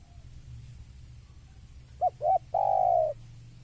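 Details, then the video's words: Spotted dove calling on seeing a rival: two short, soft coos followed by a longer, drawn-out coo, given once against a quiet background with faint low hum. "Suara Tekukur Saat Melihat Lawan"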